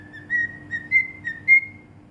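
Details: A cockatiel in Bahrain whistles a run of about five clear, pure mid-high notes, a few slurring slightly upward, over a faint low hum.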